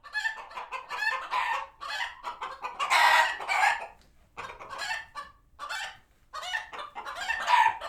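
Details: Sanctuary chickens in a barnyard reacting to a passing hawk, flock alarmed and heading for the coops; short choppy clucks in clusters, a loud drawn-out squawk midway, pauses of near silence, then another rising burst.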